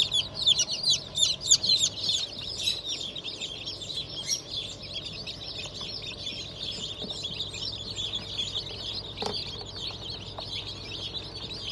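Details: Hatch of 25 May 2023: newly emerged Black Australorp, Sussex and pheasant chicks, a crowded flock of rapid high peeps, loudest in the first few seconds, then a softer continuous chorus with machine hum.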